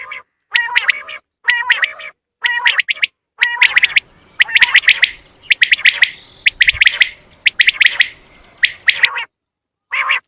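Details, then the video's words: Call used to attract quail for hunting: rasping, nasal harmonic notes alternating with clusters of sharp, clipped high notes in rapid twos and threes, nearly continuous with brief pauses. "بٹیر پکڑنے کے لیے بیسٹ اواز"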